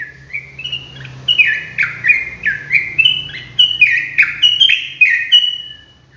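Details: Loud, energetic ropelan singing from a sooty-headed bulbul: rapid chains of fluty slurred whistles, roughly two notes a second, with sharp high accents, fading at the very end.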